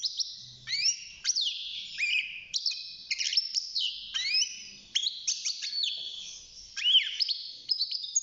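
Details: Hand-reared young male European goldfinch, six months old, singing in its cage: steady bright twittering of sharp high notes with repeated steep downward slides and buzzy tones.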